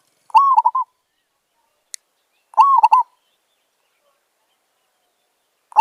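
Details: Zebra dove calling during decoy trapping: two crisp phrases roughly two seconds apart, each a slurred upward coo followed by rapid stuttering notes, with a third phrase just starting at the end. A short click sounds between them.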